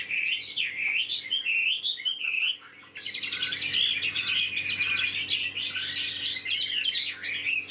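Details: Caged tame Chinese hwamei in full song: looping whistled phrases, then after a brief pause a dense, fast burst of varied chattering and trilled notes that continues loudly to the end.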